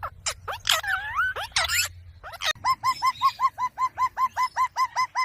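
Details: Ringneck parrot: a few squeaky, warbling notes, then a steady series of short, clipped, down-hooked calls repeated about two or three times a second.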